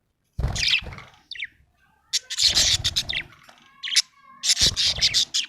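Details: Happy budgerigar giving bursts of rapid, scratchy chirps and chatter, mixed with loud thumping, rumbling noise and short gaps between bursts.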